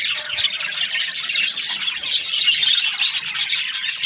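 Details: A flock of budgies in the morning keeps up fast, high twittering and short whistled squeaks, voices layered densely with a pulsing, uneven rhythm.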